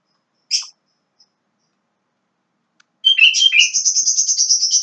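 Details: Young Javan myna: one short sharp note, a pause, then a loud, continuous buzzy chatter of rapid scratchy notes lasting nearly two seconds.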